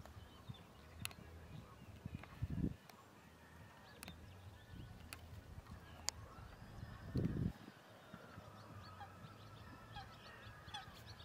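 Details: Great crested grebe (Podiceps cristatus) at Hraške mlake on 17 March 2024 gives two short, deep, guttural croaks about five seconds apart, over low wind rumble, scattered clicks and a faint distant bird.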